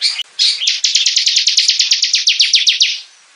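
A bar-winged prinia sings a fast, even run of about fifteen sharp, high chirps, roughly five a second, lasting three seconds.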